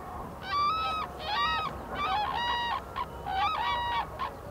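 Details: Highly endangered black-necked cranes foraging in Phobjikha Valley, Bhutan, their wintering area. Loud, honking, bugle-like calls with rich harmonics come in about six bursts over four seconds, some notes overlapping as several birds call together. A soft background hiss is present.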